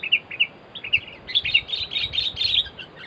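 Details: Sooty-headed bulbul at a bird-luring session where two birds were caught: a steady run of short, bright chirped notes about every third of a second, building into a denser, rapid bubbling chatter.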